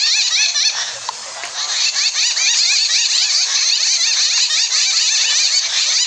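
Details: A group of Jungle Babblers in Kundapura, India, chatters in a dense, continuous chorus of harsh, squeaky, rising 'kya kya' notes, many birds overlapping with no pauses.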